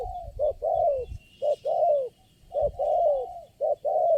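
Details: Spotted dove, the single bird calling at a trapping site and responding strongly to a lure bird, gives low cooing phrases: short hoots followed by longer falling coos, repeated about once a second, with faint distant chirps.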